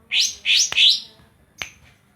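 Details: Greater green leafbird (Cucak Ijo) from Banyuwangi, tutored with kapas tembak song, gives three quick, harsh, buzzy chattering phrases in fast succession, with a sharp click in the middle and a brief high note after.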